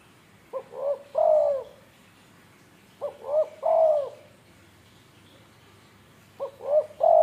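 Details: Tame spotted dove from Indonesia repeating its cooing phrase three times, about every three seconds: a quick rising note, then two soft, drawn-out coos falling in pitch, with quiet gaps between.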